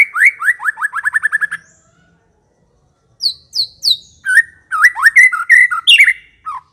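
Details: White-rumped shama singing in the ngekek manner: a rapid accelerating string of rising notes, a silent pause, then high downslurred whistles leading into a tumbling mix of chips and swooping phrases.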